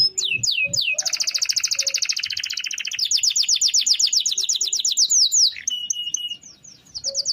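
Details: Canary delivering a long-roll song suited to daily tutoring of other birds: a few swooping notes, then a sustained, very rapid buzzy trill lasting about four seconds, ending in a level whistle and a brief pause.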